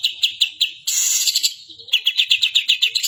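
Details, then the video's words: Long-tailed shrike singing with imitation of a white-eye, delivering fast high chipping notes about four per second, broken by a harsh hissing rasp before the quick chips resume. "cendet gacor isian burung kapas tembak"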